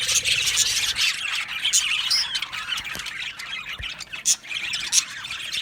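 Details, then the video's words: Aviary budgerigars calling as a colony: scratchy squawks and chirps, irregular and overlapping, louder at the start and in bursts around the fifth second. "Budgies Chirping sounds"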